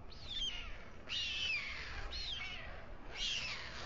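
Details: In Alcalá de Henares, Spain, a male white stork feeds two chicks on the town hall tower nest at dusk. Four raspy, descending wheezing calls are each about a second long, separated by short gaps.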